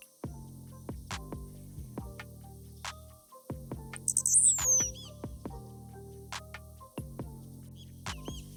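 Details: A Blue-black Grassquit in open grassland in tropical Morelos, Mexico, sings from an exposed perch: one very high, thin song of three quick pulse-like notes, then a longer buzzy note sliding downward, over steady plucked music.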